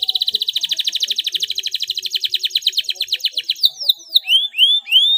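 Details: Canary song said to stimulate silent canaries to sing: a long, even roll of rapid repeated notes that slowly widens, then breaks into rising upslurred whistles.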